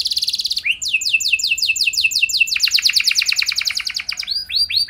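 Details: Canary singing to prompt other canaries to respond and sing at length: a high steady whistled note opens, then fast repeated sweeping phrases give way to a dense rolling trill, ending with slower looping whistles. Faint low background hum.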